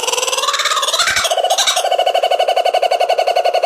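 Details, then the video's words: Kookaburra giving a rapid, rolling series of harsh notes, rising then dropping in pitch before a steady throbbing chuckle repeated several times a second. "Canto de Kookaburra"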